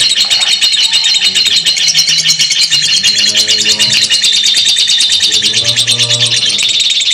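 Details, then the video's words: Lovebirds giving a long continuous chatter known as ngekek panjang, played as a training recording for other lovebirds: dense, harsh, buzzy, high-pitched chattering pulsing about three times a second without a break, with fainter lower tones underneath. "lovebird ngekek panjang"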